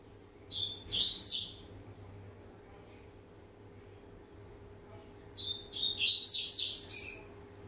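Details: Year-and-a-half-old rusty-collared seedeater warming up, giving two phrases of clear high whistles and quick slurred notes, the second phrase longer and more varied, with a steady low electrical hum underneath.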